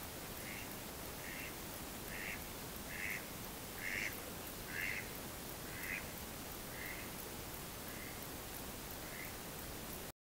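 A Mallard gives a series of about eleven nasal quacks, roughly one per second, swelling then fading away, over a steady hiss of wind or water.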